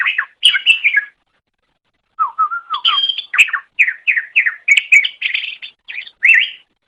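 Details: Greater green leafbird singing for a training recording for pet birds: lively, varied warbling with a low whistled run, then rapid rising and falling notes in quick succession; background clean.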